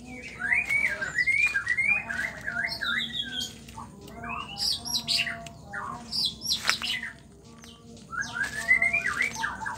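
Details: Female white-rumped shama singing to stir males into song: varied whistled phrases, rising slurs and harsh chattering notes in bursts through the recording, with a steady low hum beneath.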